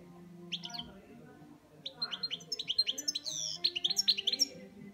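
A European goldfinch sings a rapid, tinkling run of bright twittering notes, with liquid trills and buzzy chips coming faster toward the end.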